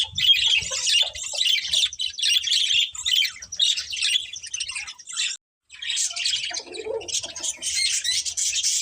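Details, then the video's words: Pet budgerigars chirp in a lively run of short buzzy twitters, roughly two per second, with a brief silence before the chatter resumes. "Cute Budgies Chirping Sounds"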